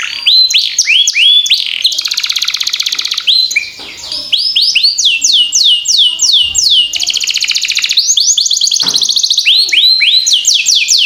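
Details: Long, lively canary song meant as a lure to get other canaries singing and learning. Fast, high, repeated downward-sliding whistles alternate with dense buzzy rattles, followed by a short quieter dip, then more rapid sweeping phrases.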